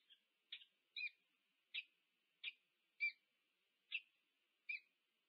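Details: At a nest camera at UC Berkeley, USA, on 2 November 2022, a wild peregrine falcon pair meets. Single sharp clipped notes sound roughly every second, about seven in five seconds, over a faint steady hum.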